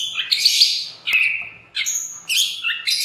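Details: White-rumped shama song played as a lure to get other shamas singing. High, bright phrases with buzzy bursts and clear whistles, broken by short gaps.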